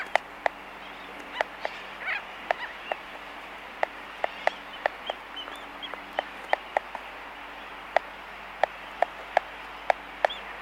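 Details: Laysan albatross in a colony, recorded close up, making sharp, dry clicks in irregular bursts, roughly one or two a second, over a steady murmur of distant sooty terns.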